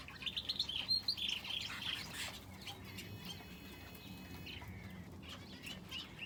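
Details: Finches in an aviary shared with a canary: a quick burst of high, thin chirps and twittering notes in the first two seconds, then sparse scattered tweets over a steady low background hum.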